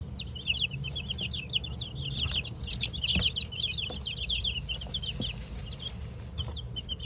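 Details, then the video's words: Two-week-old chicks of mixed breeds (Golden Comet, White Leghorn, Australorp, Rhode Island Red) in a coop during their first dust bath, giving dense overlapping high peeps and chirps, with low rumbling and scratching noises beneath. "Sounds of Baby Chicks: 2 weeks old 🐥 1st Dust Bath🐥"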